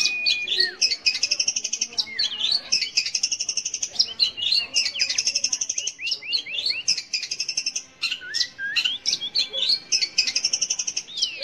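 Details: Long-tailed shrike song meant to provoke young or silent shrikes into singing: long run of rapid chattering phrases with repeated rising and falling whistled slurs, steady in loudness, about four notes per second.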